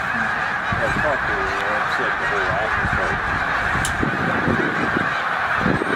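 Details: Snow geese gathered at peak migration, about 100,000 strong, at Middle Creek wildlife refuge: a massed babble of honks, with clearer nearby birds giving short, quavering, repeated yelps over the steady din.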